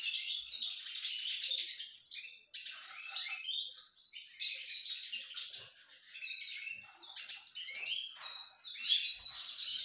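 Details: Male siskin courting a diluted-mutation female: a continuous, rapid high twittering of chirps, trills and slurred notes, pausing briefly near the six-second mark before resuming.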